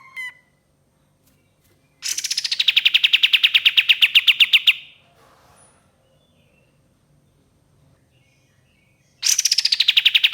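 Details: Used as a lure, this ashy tailorbird delivers a nearly three-second rattle of rapid, punchy notes gliding down from a high start, then silence, then the same pattern begins again.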